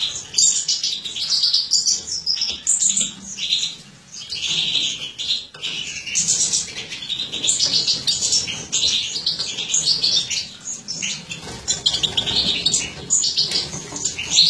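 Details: Female mutant European goldfinch from a captive breeding, recorded in 2017 while feeding young: long run of high, bubbling twitters, buzzy chirps and quick tinkling phrases, with brief pauses between bursts.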